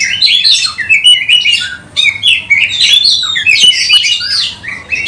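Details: Oriental magpie-robin singing with its tail open, a song used to lure other magpie-robins: dense, energetic stream of whistled slurs, trills and scratchy chirps, loud and unbroken for several seconds.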